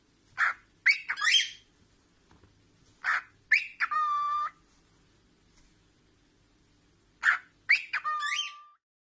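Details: Pet cockatiel playing peekaboo, giving short sharp chirps in bursts of two or three, some ending in a drawn-out, nasal whistled note, separated by quiet pauses.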